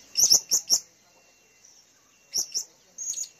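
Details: Blue-crowned hanging parrot kept as a lure bird, recorded April 2021 while calling wildly and persistently: high, thin, shrill chirps in a quick run of three, a pause, then two more and a final short chatter, in a quiet setting.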